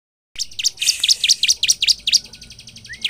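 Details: A bar-winged prinia sings a fast, steady run of sharp, high chirps, about three or four per second, with nothing else heard. The recording is meant as a lure to provoke other prinias into singing.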